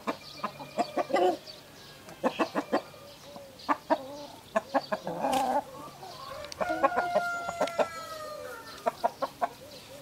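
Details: Sussex rooster and Brahma rooster facing each other, with a white Brahma between them: bursts of sharp rapid clucks and squawks, then a drawn-out harmonic crow near the end, followed by more staccato clucking.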